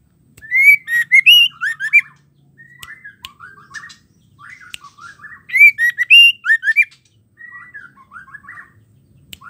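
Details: Female white-rumped shama song meant to stir males to sing: loud, rapid whistled phrases with sweeping notes, alternating with softer chattering fragments, repeated in two clear bouts.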